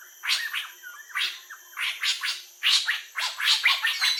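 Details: Iconic laugh of the Laughing Kookaburra, heard as harsh, raspy, cackling bursts in quick uneven runs, each swelling and breaking off, with short gaps between phrases.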